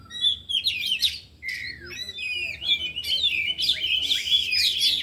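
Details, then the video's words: Four oriental magpie-robins training on an afternoon, every bird in song and displaying learned phrases. Fast, dense, varied whistling with rising and falling slurs and harsh chattered notes, almost continuous. Faint voices in the background. "Latihan Kacer di Sore Hari Biarpun Hanya Burung 4 Tapi Jalan Semua dan Bongkar Isian"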